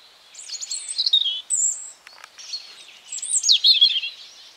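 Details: Garden European robin in spring giving two phrases of high, fast, twinkling warbles and thin sliding whistles with a short pause between them.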